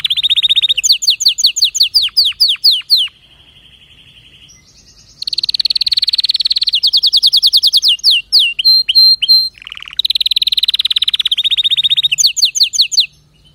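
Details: Canary song, rapid high trills of repeated notes, downward-sweeping slurred syllables, a softer buzzy stretch around three seconds, then loud rolling trills, short whistled notes and a final fast trill.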